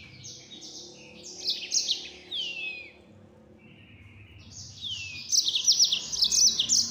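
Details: Yellow-fronted canary singing in full-speed 'nembak' style: high buzzy notes and downward slurs for two seconds, a brief lull, then a louder rapid burst of trills.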